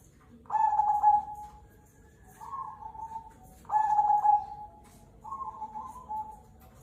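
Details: Local Cemani Kolbuntet zebra dove singing. Two strong phrases of a brief staccato start and a long level coo are each followed by a softer, lower answering coo, like birds calling back and forth.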